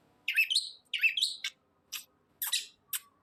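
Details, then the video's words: Long-tailed shrike in energetic song: two scratchy, rising-and-falling warbled phrases followed by short, separate harsh rasping notes, in a quiet setting. "BURUNG CENDET GACOR SUARA LOS TROTOL"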